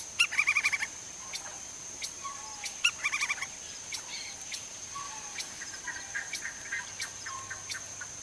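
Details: Lineated woodpecker in Brazil giving two quick bursts of about six loud, sharp, even notes, a few seconds apart, over a steady high insect drone and scattered faint ticks.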